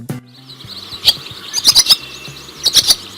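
A barn swallow gives a fast, high twittering chatter broken by sharp chirps and dry clicks, with faint music in the background.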